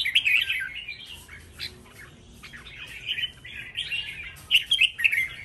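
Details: Red-whiskered bulbul song during a singing contest: bursts of sharp chirping and warbled notes come in uneven clusters, with a brief lull in the middle before loud twittering phrases resume, and faint room noise behind.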